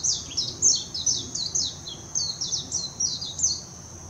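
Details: Wild warbling white-eye, Hashimoto, Wakayama, Japan, 26 June 2021, Nikon Coolpix P900 recording: a continuous, fast, high-pitched song of quick downward-slurred chirps, roughly three per second, with a constant thin high drone behind.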